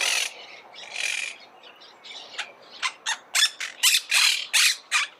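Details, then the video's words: Monk parakeet (Myiopsitta monachus) with two drawn-out grating screeches, a quieter spell, then an accelerating string of short loud harsh squawks. "Canto de la Cotorra - Sonido de Cotorras - Audio De La Cotorra Argentina"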